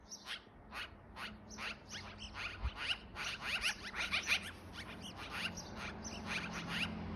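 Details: Magpie chirping while jumping from branch to branch in a tree gives harsh, rasping chatter in quick bursts, about three per second, over a faint low hum.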